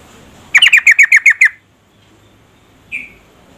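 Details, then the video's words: Female yellow-vented bulbul calling to provoke a lazy male into song: seven rapid, evenly spaced downslurred notes in about one second, followed after a pause by a single softer, slurred note. "Trucuk betina memanggil jantan AMPUH merangsang jantan ikut bunyi gacor"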